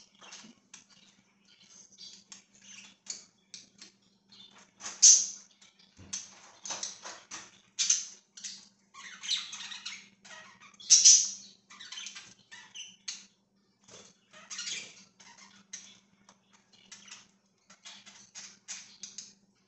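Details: Pet budgerigars on 24 September 2024 chatter with rapid, scratchy chirps and sharp squawks, bursting in irregular clusters.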